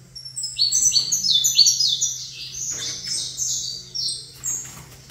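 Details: Saffron finch singing toward a second saffron finch: a quick cascade of stepped, high chirps for about three seconds, then quieter scattered notes, over a faint hum.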